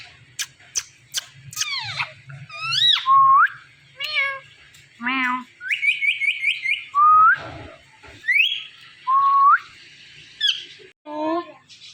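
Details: Talking Indian ringneck parakeet on a Thursday night, a long run of speech-like phrases, rising whistles and rapid stuttered syllables, loud and varied, over a faint low hum.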